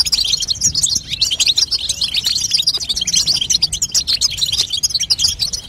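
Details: Energetic chatter of a female European goldfinch, meant to make a young goldfinch sing; fast, high-pitched twittering notes and short trills pour out with no gaps.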